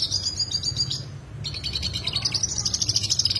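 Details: Yellow siskin in full song, original recording of a sharp rolling style: high, thin twittering trills and buzzy rolls, a brief pause near the middle, then a denser run of rapid notes over a low steady hum.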